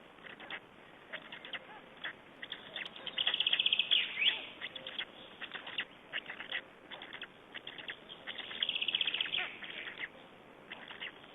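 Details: Black storks in Estonia at a nest during feeding, 20 May 2012: rasping, squealing high-pitched bursts and rapid clicking strings come in irregular clusters, with louder drawn-out squeals near four and nine seconds.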